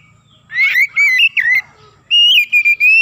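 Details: Oriental magpie-robin in full song, used as a lure to quickly excite other birds: loud clear whistled phrases with upward slurs and warbles, a short pause, then a further run of bright whistles.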